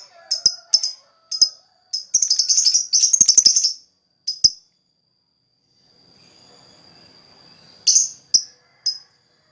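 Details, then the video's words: Lakbet song meant to draw other birds: quick sharp high chirps leading into a dense, rapid, scratchy trill. A quiet pause follows, then a few more bright chirps near the end, with a faint steady high tone behind. "Burung lakbet, gacor buat pancingan suara lakbet"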